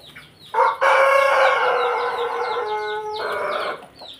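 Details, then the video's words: Pelung chicken in a house yard in Jogja giving a long, drawn-out crow that starts abruptly, holds a rich harmonic tone, then drops lower and tails off, while small birds chirp throughout behind it. "halaman rumah ayam pelung jogja"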